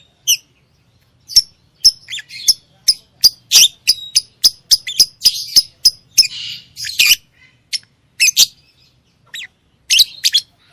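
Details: Singing lovebird pouring out a long, fast series of shrill chirps, roughly three per second, mixed with buzzy squawks, then slowing to separate sharp notes.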